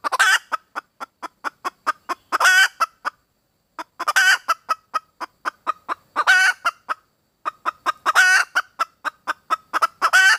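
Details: Hen red junglefowl calling for a mate, alternating loud raspy bursts with runs of quick sharp clucks, repeating in bouts separated by brief silences.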